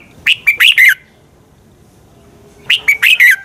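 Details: Red-whiskered bulbul fighting song used for training and to provoke other birds to sing: two short loud phrases of three to four sharp, warbling notes around two to three kilohertz, separated by a long quiet gap.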